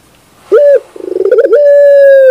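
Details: Barbary dove song from a 2021 bird-training recording. A short clear coo comes first. Then a fast stuttering series of pulses builds in volume and runs into a long, loud, steady drawn-out coo that dips slightly at the close.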